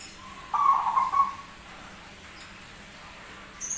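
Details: Zebra dove, noted as rare with a strange voice but a keen singer, gives one short coo of about a second. A quavering, level note is followed by quiet, with a faint high click near the end.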